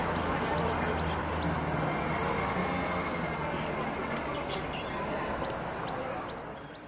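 A coal tit gives thin, high, down-slurred notes in two quick runs of about five, with steady rushing background noise throughout.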